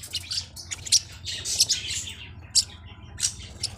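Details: Forpus parrotlet giving scattered sharp, high chirps, several short squeaky notes in quick pairs, separated by gaps, with a low hum throughout.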